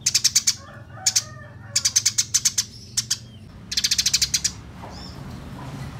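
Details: Quarrelling Eurasian tree sparrows utter clipped series of shrill chirps, some fast and some single, across six seconds, ending in a softer thin note and quiet background.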